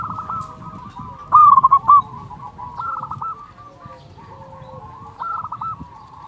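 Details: Local Zebra dove with a big, loud voice, used to lure doves and rouse quiet ones; a short burst of rapid staccato coos near 1.5 seconds stands out over softer rolling coos from other doves in the background.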